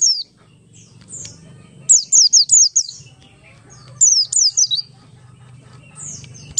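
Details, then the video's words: Buxtoni Oriental white-eye ngalas song, a lure to make other white-eyes sing: fast strings of three or four thin, high, down-slurred whistles in quick succession, repeated after short pauses, against a low steady hum. "pleci Buxtoni ngalas 12345 pancingan pleci bahan agar cepat bunyi"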